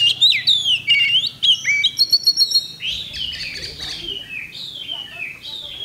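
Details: Contest kacer (Oriental magpie-robin), 8 October 2020. Bold descending whistles and clipped chirps come first, then softer, fading downslurred notes.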